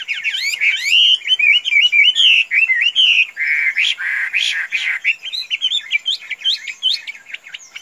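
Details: Chinese hwamei, a pet described as tame as a chicken and kept loose, delivers a continuous loud song of rising and falling slurred whistles, with rougher harsh notes midway before more sweet upward whistles.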